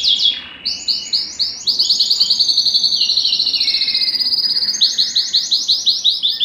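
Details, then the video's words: Canary singing to excite females for breeding: upswept repeated notes, a long rapid steady trill, then spaced rising chirps. "صوت الكناري الاصلي ( صوت جبار يحفز الذكر ويهيج الأنثى للتزاوج )"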